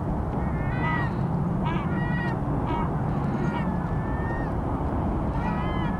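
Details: Early breeding-season courtship calls of Vega gulls, a pair not yet together, recorded 5 February: mewing harmonic cries, some drawn out and level, others short and stacked, against constant roaring waves.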